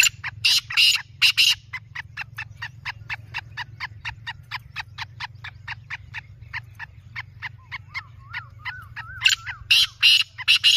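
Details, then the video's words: Black francolin call: loud harsh grating bursts open and close a long run of quick, evenly spaced dry ticking notes, over two per second, with a faint wavering whistle midway and steady low hum beneath. "Black francolin voice"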